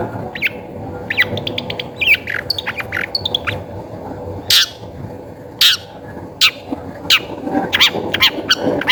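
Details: Long-tailed shrike lure song meant to prompt other shrikes to sing: a quick jumble of varied chirps, then loud rasping notes spaced about a second apart.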